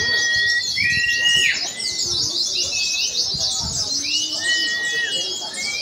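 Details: Oriental white-eyes at a practice singing contest pour out a dense, high, buzzing twitter while long whistles rise and fall across it, with faint chatter of people in the background.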